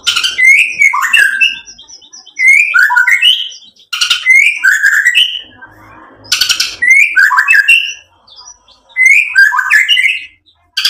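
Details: White-rumped shama singing loudly to provoke rivals into answering: repeated bursts of song, each opening with a sharp click followed by rising and falling whistled slurs, separated by short quiet gaps.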